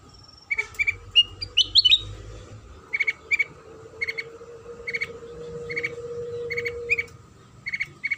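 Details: Sooty-headed bulbul song used as a lure to make other bulbuls answer and sing: short bright whistled notes in pairs and quick clusters, repeated roughly every second, over a faint steady tone and low background rumble.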